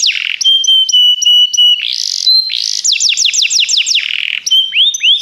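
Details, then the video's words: Canary song used for song training: clean, loud phrases of high whistled trills, a long level whistled note, rapid descending sweeps repeated about four times a second, then rolling notes, with no other sounds. "Canários Begie cantam muito - o melhor treinamento canário para você"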